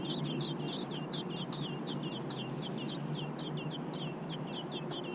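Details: Robin nestlings in their nest give quick high chirps, each a short note that slides down in pitch. The notes repeat several times a second over a low, steady background rumble.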